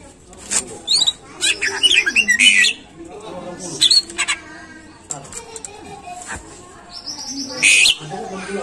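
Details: Caged greater green leafbird giving singing-prompt song: scattered sharp whistles and buzzy chips separated by quiet gaps, with a loud burst near the end.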